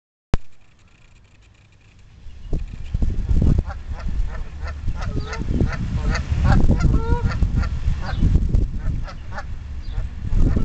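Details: Geese at a duck and goose pond, adults defending four goslings from other geese that come too close; a burst of loud, harsh, repeated honks breaks out after a quiet start, with heavy low rumbling noise throughout.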